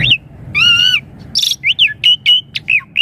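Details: Asian pied starling song used as a lure to get young birds answering, with rich varied phrasing: clear whistles near the start, a harmonic-laden sustained note, then a run of short rising and falling whistled notes.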